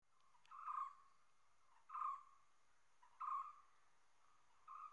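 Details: Common hawk-cuckoo giving loud, clear whistled notes, each a short slurred phrase repeated about every second and a half, four phrases in all against a quiet, steady background hiss.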